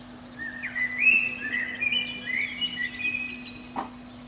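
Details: Eurasian blackbird singing at dawn in spring from a pine treetop beneath a window. A flowing series of clear, melodious whistles rises and dips for about three seconds, followed by a short click; a low continuous hum persists.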